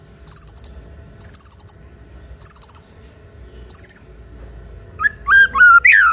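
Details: White-rumped shama singing to provoke rival shamas to answer: four high buzzy, slightly falling trilled phrases about a second apart, then a burst of rich, varied whistled notes at the end.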